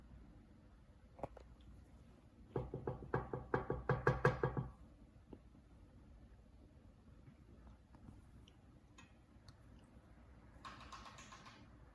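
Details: A quick run of hard, hollow knocks, like tapping on a surface, then quiet and a brief scratchy rustle. No calls or song can be picked out.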